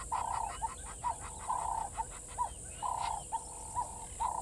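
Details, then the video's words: Water thick-knee at Gowrie dam waterhole, Djuma Game Reserve, Sabi Sand Wildtuin, South Africa, 07:11 on 16 November 2021; a run of clear whistled notes on one pitch, some drawn out and some short, over faint rapid pulsing in the background. "Water Thick-knee"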